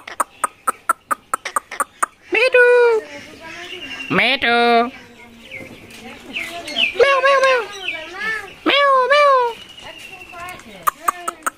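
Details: A talking pet rose-ringed (Indian ringneck) parakeet mimics human-like speech: strained, speech-like phrases with harmonic, wavering tones, opening with a rapid run of sharp clicks and ending with more clicks.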